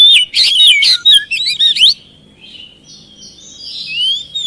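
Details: Song of an oriental magpie-robin, played as a lure so lazy, quiet birds start singing back. Rapid, loud, varied whistles and chirps fill the first two seconds, then fade into softer, drawn-out warbling and a final rising whistle.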